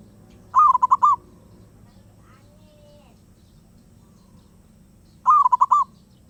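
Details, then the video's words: Two quick, bubbling coo phrases from a wild zebra dove, separated by almost five seconds of near silence with a faint murmur in the gap. "Burung perkutut Liar gak mau diam"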